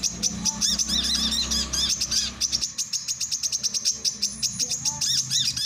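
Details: Male brown-throated sunbird song for training and luring birds: rapid, high, metallic chips and twittering notes in dense bursts, steady throughout, with a low rumbling hum under the first half.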